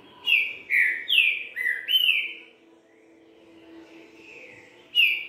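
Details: Green-winged saltator in 'boi bitola' three-note song: five loud, full whistled notes in quick succession, rising and falling slurs, then a lull with faint distant notes and a final strong note; steady low hum underneath.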